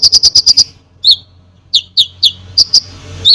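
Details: Konin in full song meant to rouse other birds: a fast run of six bright chirps, a pause, then single sharp downslurred notes spaced about half a second apart.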